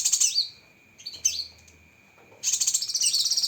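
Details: Cucak kinoi tutor song with sharp 'tembakan' phrases: a shrill rattling burst that drops in pitch, a short upslurred note, a pause, then a loud fast high trill, over a steady thin tone.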